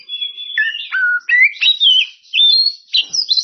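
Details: Oriental magpie-robin singing to call out rivals: a fast, varied run of clear whistled notes, some steady, some sliding down or up, strung together with short gaps and ending in bright high slurs.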